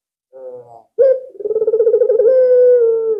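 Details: Albino Barbary dove (Streptopelia risoria), cooing vigorously as a lure bird: a short soft coo, then a long rolling, throaty coo that steadies into a drawn-out mellow note.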